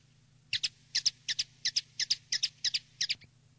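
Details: Common linnet in the field style (campero) used to tutor young linnets: a string of about ten short, bright chirped notes in quick uneven succession, some paired, over a faint low hum.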